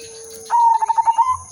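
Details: Silver udanmas zebra dove in full manggung song. A single short pulsed coo holds an even pitch through about six rapid beats, then lifts a little as it closes. A constant thin hum sits in the background.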